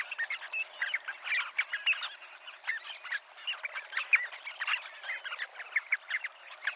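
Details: Group of Dunlin (Calidris alpina) on the promenade at Abruñeiras, Noia, Ría de Noia; lively, crowded chattering of short rasping calls, with stronger bursts recurring every second or so.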